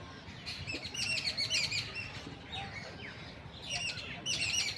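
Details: Several birds chirping amid city life in India; rapid high tweets in bursts at the start and end, quieter thin notes between, soft background hum of urban noise.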